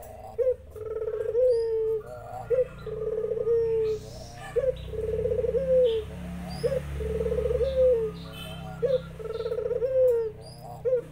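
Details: Zebra doves answer a spotted dove. Trilled, throaty coos come in a steady series about every two seconds, each opening with a sharp rising note. Soft bird twitters and low background noise accompany them.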